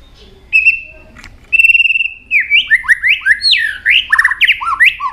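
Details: White-rumped shama singing many varied notes while flicking its tail: two long level whistles, then a fast run of rising and falling slurred whistles of changing pitch.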